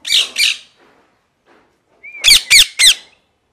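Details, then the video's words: Parrot giving two loud, harsh squawks, a pause, then a thin level whistle running into three rapid grating chirps in quick succession. "Parrot Chirping Sounds | Natural ParrotSounds | Parrot Calling Sounds"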